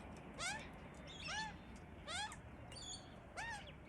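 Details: Two Australian magpie chicks hidden in a tree, crying for food while their parents feed them: whiny, nasal, down-curving begging squawks about once a second, with a few thin higher chirps over a low background hum.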